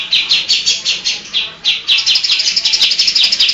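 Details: Lively caged greater green leafbird delivering fast song packed with copied calls of other birds. Bright, high notes come in quick pairs, pause briefly, then speed into a rapid twittering string.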